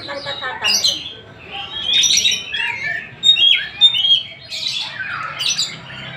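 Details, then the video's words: Kacer, the Oriental magpie-robin, from Tasik sings a rich jumble of rapid twittering notes, downslurred whistles and harsh squeaky phrases, loud and continuous with brief dips in volume. "Kacer Tasik Muni"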